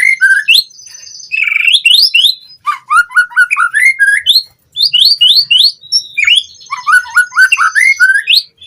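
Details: Captive-bird training lure of white-rumped shama song: rapid, varied bursts of whistled upslurs, sharp chips and trilled fills, delivered at about four notes a second with short gaps between phrases.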